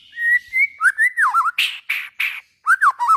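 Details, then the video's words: White-rumped shama song meant to stimulate other shamas: a long whistled note, warbling twisting phrases, then three harsh raspy bursts and more looping whistles. "suara burung murai batu buat merangsang bunyi murai batu"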